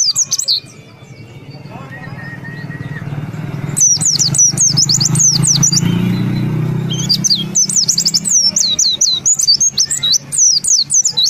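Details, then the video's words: White-eye (Zosterops), a kept songbird in Indonesia prized for imitating other birds, singing in rapid bursts of high, looping whistled notes separated by pauses, with a rumbling vehicle passing in the background. "Pleci Gacor Ngalas Ngeroll (Zosterops)"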